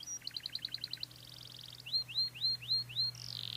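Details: Canary singing a cengkok-style song: a rapid series of paired high chirps, a brief trill, then five upward-sweeping whistled notes repeated about every quarter second, ending in a buzzy rolling phrase, over a low steady hum.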